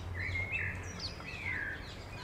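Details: Eurasian coot family with seven chicks in Beverwijk, the Netherlands, recorded with a RØDE VideoMic: two drawn-out, thin whistled calls, slightly wavering and falling at the end, over low steady background rumble.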